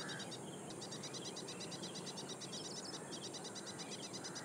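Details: Ashy prinia calling loudly in reed beds at Powai Lake, IIT Bombay, Mumbai, on 1 October 2022: a fast, high, repeated series of thin clicking notes, several each second, over a steady low rumble.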